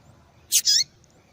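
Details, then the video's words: Female double-collared seedeater calling to excite males: a harsh noisy chip run straight into a high, slightly longer buzzy note, with quiet background. "Fêmea de Papa capim Chamando Muito para Esquentar papacapim !"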